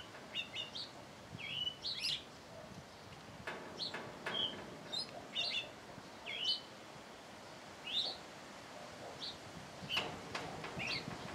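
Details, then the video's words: A thrush at its singing hour sings short, clear whistled phrases, each different, spaced about a second or two apart, with a few soft clicks and light background hiss. "Zorzal en su hora de cantar"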